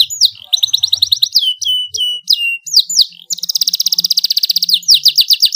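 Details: Loud, vigorous domestic canary song. Quick sliding whistles and short trills lead into a sustained rapid rolling trill, then a few slurred descending notes at the end.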